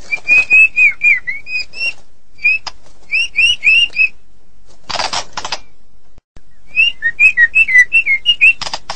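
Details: White-rumped shama of the Medan type singing vigorously: clear whistled notes near the same pitch, repeated in quick runs, broken by harsh rasping bursts and a short silent pause before the whistles resume.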